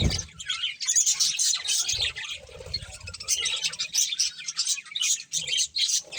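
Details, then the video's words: A breeding pair of budgerigars chattering: dense, scratchy high chirps and warbles run almost without pause, with brief dips between bursts and faint low thumps underneath. "Cute Budgies Chirping Sounds"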